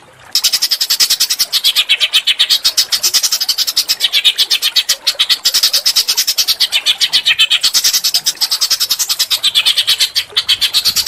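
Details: Small bird song used as masteran to provoke an Oriental magpie-robin into singing: a fast, harsh, unbroken chatter of high buzzy notes, about five per second, steady in loudness throughout.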